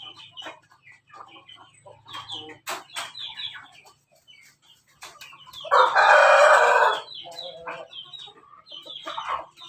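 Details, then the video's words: Crossbred rooster of Pelung and Bangkok lines, raised on a farm in Yogyakarta, crows once in a loud burst of about a second amid many quieter clucks and calls from other chickens before and after. "persilangan ayam pelung bangkok ketawa berkokok"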